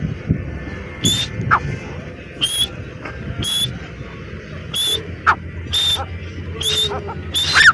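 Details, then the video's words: Spaced, separate high ringing call notes of the grey francolin, each brief and sharp, sounding about once a second or less over a steady background hum and low rumble. "teetar ki boli | teetar ki awaaz | francolin voice | Partridge sound"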